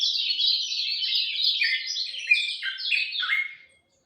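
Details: A lemon-bellied white-eye sings at dawn: a dense, continuous, high-pitched warble of quick chirps that drifts gradually lower, then stops abruptly.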